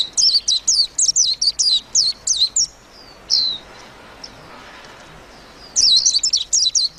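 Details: Rapid twittering by a warbling white-eye: a fast stream of high, bright chirps for almost three seconds, a quiet pause of nearly three seconds, then the rapid chirping resumes.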